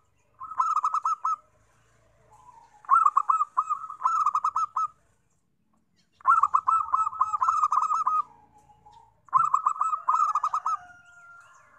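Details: Zebra dove song used to lure wild doves: four bursts of rapid, stuttering low coos with a rolling, trilled quality, about three seconds apart, with softer drawn-out coos between phrases.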